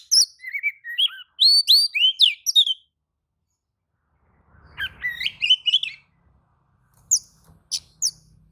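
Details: Agitated Oriental magpie-robin replying to a rival's singing: quick run of hooked whistles and chattering notes, a silence, a second rushed phrase, then a few sharp clicks.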